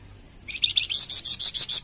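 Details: Flamboyan bird song meant for training and prompting captive songbirds. After a short quiet start, a fast rattling run of loud, harsh, buzzy pulses builds in volume and repeats steadily to the end.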